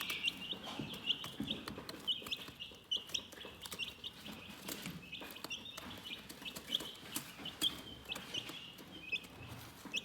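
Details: Calm, relaxing chicken chirping: many high, thin peeps overlapping almost continuously, about seventy a minute, with soft rustling and occasional taps in the background.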